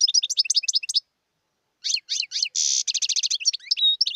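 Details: Wild European goldfinch singing: a rapid run of bright twittering notes high in pitch, a pause, then more liquid twitters, a short buzzy rasp and quick trills with a clear whistled note near the end.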